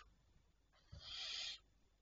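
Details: Barn owl at night, recorded 25 May 2023 around 01:51, giving a single harsh hissing screech lasting under a second over a faint quiet background.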